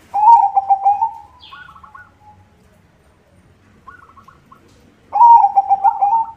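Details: Vigorous song of a white zebra dove, used as a lure for zebra doves: a loud rolling coo, then soft short trills and a long pause before a second loud bubbling coo phrase.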